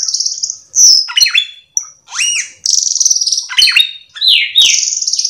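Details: Busy cucak keling song full of filler phrases, used to prompt other cucak keling to join in. Buzzy high trills are broken by sharp downslurred whistles and squeaky notes.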